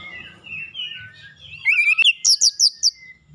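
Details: Oriental magpie-robin singing as a prompt for other birds: soft mellow warbling at first, then a sudden loud series of about eight ringing, high whistled notes in quick succession, with one sharp click.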